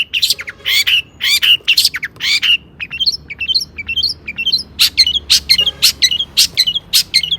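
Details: Energetic long-tailed shrike song used as a lure to make other shrikes sing, mixing harsh squawky notes with quick rising chirps and scattered sharp ticks, delivered in uneven bursts with a soft low room hum.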